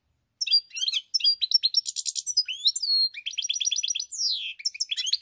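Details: Goldfinch singing on 7 March 2021, a fast, varied, unbroken stream of high tinkling notes, buzzy rattles, rapid repeated chirp series and a long downward-sweeping slur, loud and close throughout.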